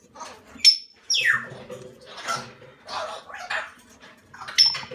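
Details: Young Salmon-crested cockatoo chicks, aged from hatching to a month: a thin high whistle, then raspy falling screeches and breathy hissing bursts, with soft human talk underneath.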